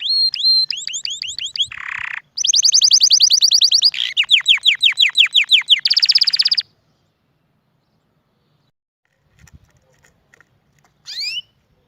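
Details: Canary in full song: hooked whistled notes, a buzzy burst, then several fast rolling trills of varying pitch lasting about six seconds, a pause, and a short rising phrase at the end.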